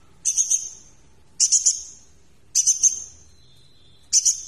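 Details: Van Hasselt's sunbird tutor recording: four buzzy, hissing high bursts, each with a stuttering double onset, about one per second, with a faint thin whistle between.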